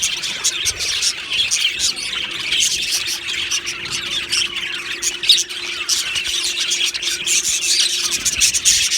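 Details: Colony of Australian budgerigars kept in an aviary, described as happy; many overlapping bright chirps and rasping chatters form a busy, steady high-pitched babble, with short sharper squawks now and then.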